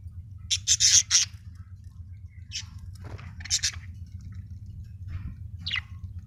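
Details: Budgerigar described as happy, giving bursts of short, high, scratchy chirps, a quick cluster near the start and scattered single chirps later, over a steady low hum.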